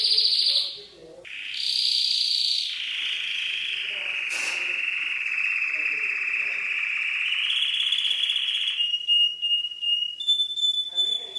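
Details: Canary song set against soothing trickling water in an Indonesian compilation; a high note breaks off, then a long, smooth, slightly wavering roll held for several seconds, ending in choppy clipped high notes.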